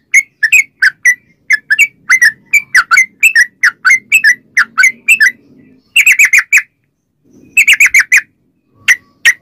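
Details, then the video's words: Yellow-vented bulbul in lively lure song: a run of rapid bubbly chirps, a short pause with a soft low hum, then tight clusters of loud, sharp notes and a few scattered single calls. "trucukan gacor ROPEL PANJANG buat pancingan trucukan agar bunyi"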